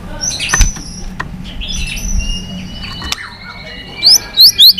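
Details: White-rumped shama, a bird being stimulated into fighting song while flicking its tail. It gives a loud mix of high thin whistles and sliding notes, ending in four sharp rising whistled sweeps.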